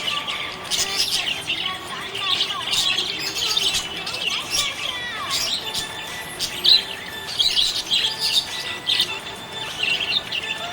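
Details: ['Happy budgerigar in a long run of high chatter: fast twitters, downward-slurred whistles and occasional sharper squeaks, steady throughout.']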